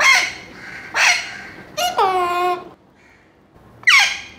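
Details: Seven-month-old pet Alexandrine Parakeet greeting the morning with loud voice and partial words: a run of harsh screeches, then a longer nasal, talk-like drawn-out note, a pause, and another screech.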